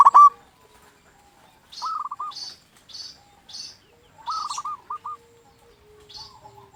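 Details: Local zebra dove singing to lure other zebra doves and rouse quiet birds into answering, with two fast stuttering trilled coo phrases, each ending in a few short notes, among brief higher chirps and quiet gaps.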